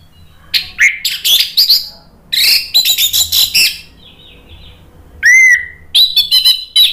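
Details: Orange-headed thrush, a caged songbird, singing loudly to provoke other birds into answering: rich bursts of whistles and harsh, buzzy notes in quick runs between 2 and 8 kilohertz-high phrases, with a clear slurred whistle and short pauses between outbursts.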